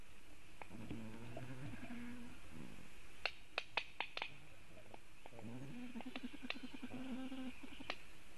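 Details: Black stork defending its nest as a raptor is around, filmed by a Latvian nest webcam on 27 July 2018, mid-morning. Low, nasal, wavering calls come in two long bouts, separated by sharp clicking snaps.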